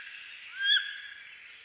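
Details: Wood duck of eastern North America: one loud upslurred squeal, sharp and rising before breaking off, heard against a continuous background wash of small songbirds.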